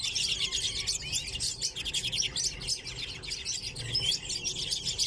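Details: Aviary flock of common redpolls kept together with chaffinches, giving a constant chatter of rapid high twitters and short buzzy trills, many birds calling over one another without pause.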